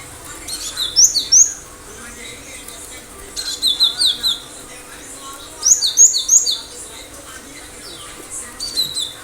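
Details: Cinereous tit, high sharp whistled phrases repeated about every two to three seconds, each a fast run of three or four clipped notes, with faint background chatter.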